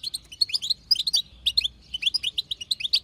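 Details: Female European goldfinch, wild type, chattering to set a male singing: dense, fast, liquid twitters and chirps tumbling in short runs, high and sparkling, with a faint low hum.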